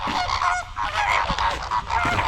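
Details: In November in a Camargue reserve, southern France, when flamingos begin courtship dances, a large flock of Greater Flamingos gives a dense, unbroken chorus of overlapping nasal, goose-like honks.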